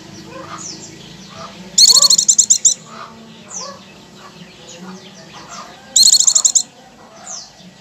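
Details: Oriental white-eye (pleci) lure call to trigger rapid "ngecir" song: two bursts of about nine rapid, very high chattering notes, between thin descending whistles and softer chirps over a low hum.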